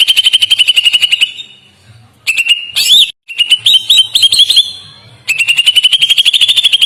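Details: Greater green leafbird in long, soft, melodious song: a rapid string of even whistled notes, a pause, then varied slurred and rising phrases, another short gap, and the fast repeated whistles again.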